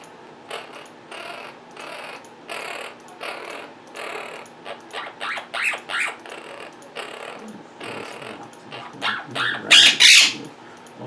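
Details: Indoor pet Quaker parrots making various sounds and mimicking while their owner works at a computer; a steady run of short raspy chattering notes, about three a second, building to a loud harsh squawk near the end.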